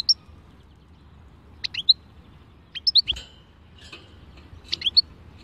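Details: European goldfinch singing in the khalwi song style: short bright chirped phrases of two or three quick high notes, repeated about every one to two seconds, with quiet pauses between them and a low background hum.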